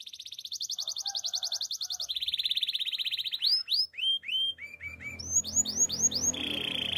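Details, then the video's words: Male canary song: a quick pulsing trill drops to a lower rattling trill, then rounded chirps repeat in a lively run, ending on a buzzy sustained note with faint low rumble. "Male canary singing with beautiful voice"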